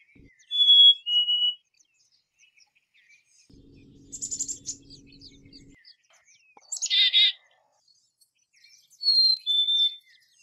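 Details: Black-capped chickadee: a clear two-note whistle, high then slightly lower, opens, then a run of fast buzzy notes over a low steady hum, a harsh burst, and a final high-low whistled pair.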